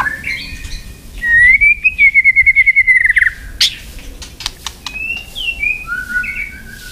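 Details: White-rumped shama singing its fighting song for training: a long, loud, rapid trill sustained for about two seconds, then sharp clicks and a few short slurred whistles.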